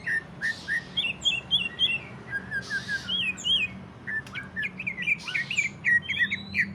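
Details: Greater green leafbird singing in the 'ngentrok' style, used to stimulate other leafbirds to sing; rapid, varied whistled and chirped notes about three to four per second, with brief bursts of harsh rasping noise over a low background hum.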